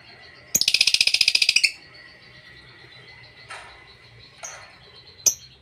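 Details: Lovebird ngekek, a long chatter played to provoke rival birds and stir up a silent lovebird: a rapid burst of about fifteen harsh, high chattering notes over one second, then a thin whistle and scattered short chirps.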